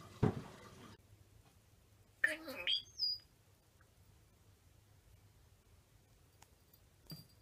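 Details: A captive European starling trained to mimic speech about its introduction to North America gives a raspy, speech-like phrase, then a high sliding whistle. A brief rustling burst comes first, then quiet.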